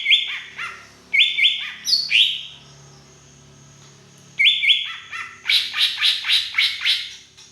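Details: Wild-origin green leafbird from Beutong forest in Aceh, song with drongo mimicry fill-in: strong flat whistled notes in short groups, a pause with faint low hum, then a rapid run of high chattering notes.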